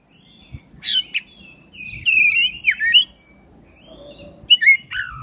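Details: Oriental magpie-robin of the black-breasted form, a caged bird in vigorous song used to provoke other birds into singing; loud whistled phrases sliding and warbling around the mid-high range, with sharp clicks, separated by short pauses.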